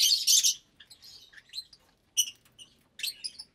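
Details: About 25 lovebirds of parblue, euwing, opaline, lutino and albino types eating together in an aviary, January 2023. A loud harsh screech starts the clip, followed by rapid squeaky chirps and rasping notes.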